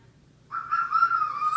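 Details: Captive female hyacinth macaw, nearly two years old, that talks and makes noises, giving a sustained steady whistled tone that starts abruptly and holds level, with faint overtones, indoors.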